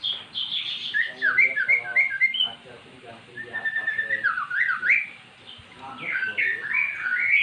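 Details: Magpie-robin, once mute, singing in response to recorded magpie-robin song; fast sequences of whistled notes, rising and dropping slurs, with a lower harmonic-rich voice-like phrase partway through.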